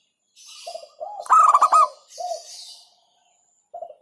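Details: A single loud burst of rapid clipped coos from a local zebra dove, set among softer, lower, drawn-out cooing from another dove.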